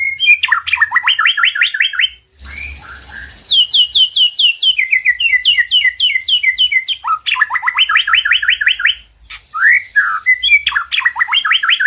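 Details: White-rumped shama master song meant to rouse a silent bird into singing: loud, rich phrases of rapid repeated whistled notes falling in short runs, broken by a brief pause and a buzzy burst, with high sharp chips overhead.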